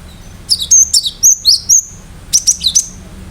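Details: Cinereous tit (gelatik batu) singing gacor with sharp 'tembakan' notes meant to stir other birds into answering: two bursts of rapid, high, thin whistled notes, the first longer with about seven strokes, the second three, over a quiet background.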